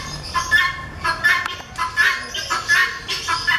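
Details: Breeder pair of helmeted guineafowl calling in a steady series of harsh, grating notes, roughly one every three-quarters of a second, loud and rhythmic.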